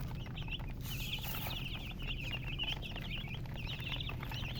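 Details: Several baby chickens cheeping nonstop, with sharp, high, slightly rising peeps tumbling over one another in quick bursts. Constant low background rumble.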